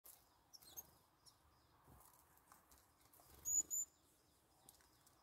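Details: A crested tit visiting a feeder gives two thin, very high, quick call notes close together, with faint twittering early on and soft rustling and tapping in the background.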